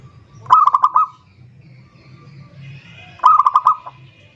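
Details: Zebra dove song meant to call a rival: two phrases of rapid coo notes ending in an extended coo, nearly three seconds apart, over a steady low rumble and a faint higher tone.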